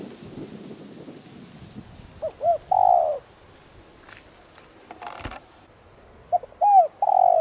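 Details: Decoy spotted dove with a 'đồng rặc' voice calling to provoke wild doves. Two phrases of paired short notes and a long coo, separated by a few sharp knocks and clicks, with low rumbling at the start.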